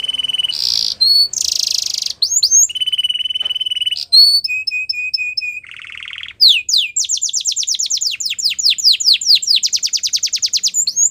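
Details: Belgian canary singing, meant for canary training; varied tours of buzzy bursts, a flat rolling trill, rapid staccato pips, a low harsh rattle, then a long series of quick rising sweeps that gradually slows.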